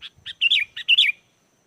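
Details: Sooty-headed bulbul song used to provoke wild birds into replying: a few short chirps leading into two cheerful, bubbling whistled phrases that dip in pitch at the end.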